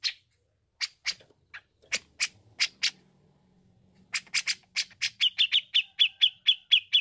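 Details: Grey-cheeked bulbul in full song, used for training a young bird: sharp, clipped notes, spaced at first, then a quick run of about two per second, each ending in a ringing, steady-pitched whistle.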